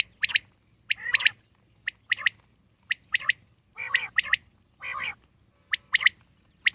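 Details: Wild common quail calling busily: a quick run of sharp, high notes mixed with a few lower, buzzier ones, in a rapid irregular sequence over seven seconds of quiet background.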